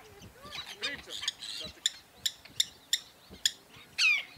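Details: Forster's tern, probably juveniles, at Cape May, New Jersey: sharp, harsh kip notes about every half second, ending in a longer grating, falling kyarr; softer chatter of other birds comes first.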